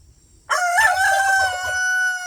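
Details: A pastured homestead rooster lets out one loud, strained crow that starts abruptly and holds a long, steady drawn-out tone, with soft low thumps from the surroundings.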